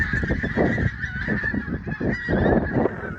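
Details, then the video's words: Loud, close goose honks from a flock at sunrise in Prestatyn, harsh nasal notes crowding over one another, with pulsing low rumbles in the background. "Flock of Geese (Birds) at Sunrise"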